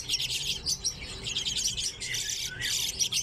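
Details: Common redpolls in an aviary shared with chaffinches: dense, busy twittering of high chirps and buzzy trills from several birds at once, overlapping continuously with short gaps.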